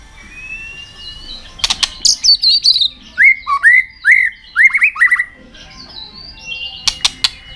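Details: White-rumped shama in fighting song with tail flicking, meant to fire up young shamas: a thin rising whistle, sharp clicks, then five or six loud slurred whistles repeated about twice a second.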